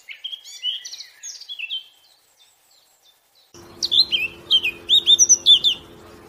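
Eurasian blackcap singing: a quick, scratchy warble, a pause, then a loud, clear flourish of fluty rising and falling whistles over a low steady hum.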